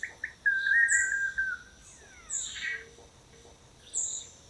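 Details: Courtship display of male long-tailed manakins, several pairs taking turns on a lek perch in Costa Rica: a short chip, a long clear whistled note gently falling, then airy rushing bursts spaced about every one and a half seconds.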